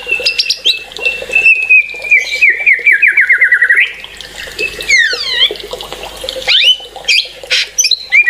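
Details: Excited white-rumped shama: a falling trill of rapid repeated notes, sweeping downward whistles, then sharp upslurred whistles and scattered chatters.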